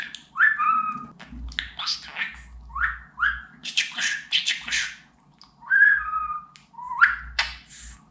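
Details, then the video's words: Talking budgerigar at home mixing whistles and speech: several clear whistled notes that slide downward, interleaved with short buzzy syllables and clicks. "Konuşan Muhabbet Kuşu"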